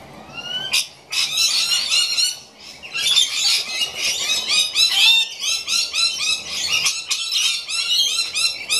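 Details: Rainbow lorikeets in a noisy flock, many overlapping shrill screeching and chattering calls running almost continuously, with brief dips and a few rasping notes.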